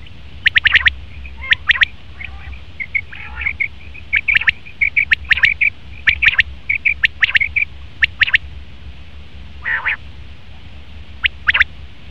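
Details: Male common quail uttering sharp, clipped notes grouped in twos and threes, with a busy stream of short high dotted sounds between bursts and one buzzy call near the end.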